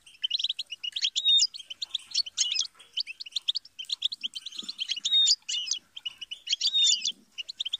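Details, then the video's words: European goldfinch singing, presented as a tutor song for songbirds: fast, tinkling twitter of short chirps and buzzy notes with a few clear rising whistles, flowing almost without pause throughout, with faint low thumps in the background. "Best guide for teaching and motivating songbirds - Goldfinch"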